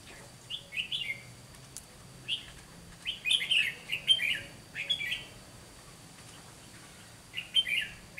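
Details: Decoy red-whiskered bulbul singing a fighting song during a trapping session against wild birds: clear chirpy warbled phrases in a tight run mid-clip, with single phrases before and after and quiet pauses between.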